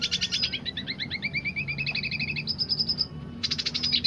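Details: Dilute-coloured red siskin singing energetically in the roll tembak style: fast buzzy twittering trills that step down then rise into a high thin run, broken by a brief pause before another rapid burst.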